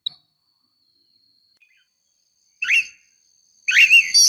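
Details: Female oriental magpie-robin calling to provoke a male into singing: two short harsh, buzzy downslurred calls about a second apart, the second longer and fuller, after a near-silent start with a faint thin whistle.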